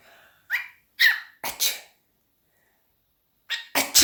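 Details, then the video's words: Cockatiel copying human sneezing and coughing, giving a run of abrupt hissy sneeze-like bursts, several in quick succession, then a pause and another cluster of harsh puffs. "My Sneezing Cocakteil"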